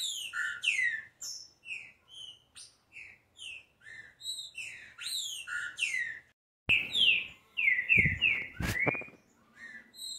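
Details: Green-winged saltator (Saltator similis), song.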